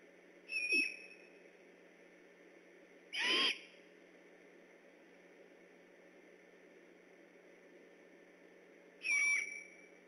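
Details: Great horned owls near an eagle nest at night, gone on alert at 9:46 pm: three separate short calls with rising and falling harsh, whistled notes spaced several seconds apart, with steady background hiss.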